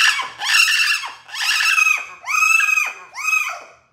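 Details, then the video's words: Pet female Amazon parrot indoors crying from jealousy as its owner touches another parrot: loud, harmonic, wailing calls that rise and then fall, repeated about once a second, five cries in a row. "Loro llorando porque esta celoso"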